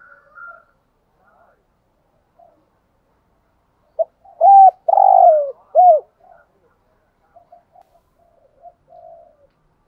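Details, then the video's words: Decoy spotted dove calling: after near silence, a burst of loud, hoarse coos around the middle, with soft low murmuring notes before and after. "chim cu mồi thúc gù bài bản nhất hiện nay"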